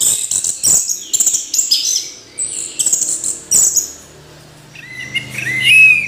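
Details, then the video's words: Orange-headed thrush delivering quick, shrill, jumbled high phrases with abrupt clicks for about four seconds, then a pause and lower, slurred whistled notes near the end. "Anis Merah Kicau Sampai Teler"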